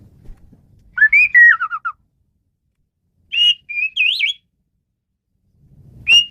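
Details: Asian pied starling singing for tutoring songbirds: a descending run of warbled whistles, then a wavering, rising and falling whistled phrase, over faint low background noise.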